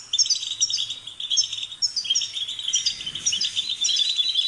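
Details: Goldfinch singing repeated phrases of bright twittering notes with tinkling upper tones, almost without pause; faint low hum beneath.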